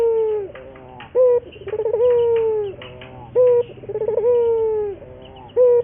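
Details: Barbary dove, local Indonesian bird, coo song for luring and training: a regular cycle of a short clipped coo, a rolling stutter and a long downward-drifting coo, repeated about every two seconds.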